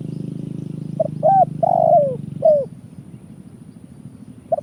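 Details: Spotted dove call used to attract birds for trapping, a short note, a rising coo, a long falling coo and a last drooping note, then low hum with one faint coo at the end.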